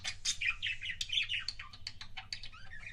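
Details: Pet budgerigar making kissing sounds: a busy stream of rapid twittering chirps and short warbled notes, many sharp clicks and smacking sounds mixed in, over a steady low hum.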